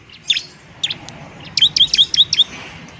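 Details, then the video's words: Bar-winged prinia in fighting mode, used to lure and stimulate lazy birds to sing: sharp, high chirps, two isolated notes early on, then a quick burst of about six bright, clipped notes in the second half. "ciblek semi gacor, ciblek TARUNG mantap buat pikat dan PANCINGAN ciblek semi malas bunyi"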